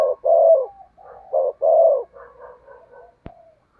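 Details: Lure spotted dove cooing to draw in wild doves: two loud short-then-long coo phrases followed by softer broken cooing notes and a sharp click near the end.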